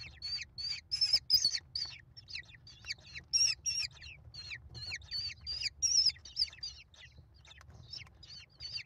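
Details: American kestrel nestlings, five chicks being fed by their mother on 28 May 2021 at a nest cam: shrill, scratchy, rapidly repeated notes overlapping in a frantic chorus, rising and falling in loudness in short bursts.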